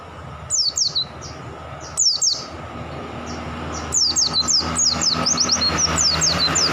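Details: Pleci (white-eye) singing actively in the ngalas style: bursts of thin, high, sharply descending whistled notes in quick runs, paused then resumed and growing denser, over a low background hum.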